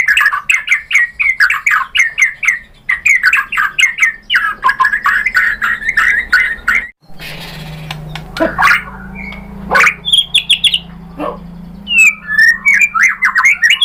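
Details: White-rumped shama lure song for rivals: long rapid chattering of varied notes repeated many times, a brief break, then scattered whistles and clicks returning to fast chatter.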